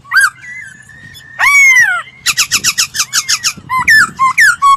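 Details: Laughingthrush song meant for voice training: a sharp note, a long level whistle, a loud downslurred rich phrase, then a quick regular series of harsh stacked notes followed by clipped, jumping whistles.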